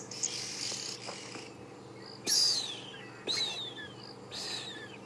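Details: On a cloudy early morning on safari, an African grey hornbill gives three sad, mournful whistles that slide downward, about a second apart, amid hissing and chattering from oxpeckers, sparrows, drongos and orioles.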